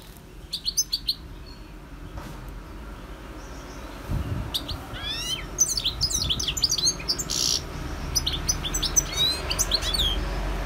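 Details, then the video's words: Wild European goldfinch (Carduelis carduelis) with scattered high chirps early on, then livelier twittering runs and swooping trills in the second half, heard over a constant low rumble with a brief thump near four seconds. "GOLDFINCH SINGING 1H Chant Chardonneret اسمع واستمتع صوت الحسون البري Jilguero Campero"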